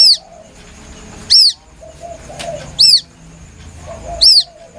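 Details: White-breasted waterhen chick peeping as a hunting lure: four piercing arched notes spaced about 1.4 seconds apart, with quiet muffled background sounds in the gaps.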